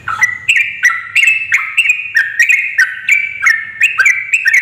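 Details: Female yellow-vented bulbul calling to draw males into song: a clear, lively run of liquid, slurred notes, each dipping and rising, repeated about three times a second for nearly five seconds.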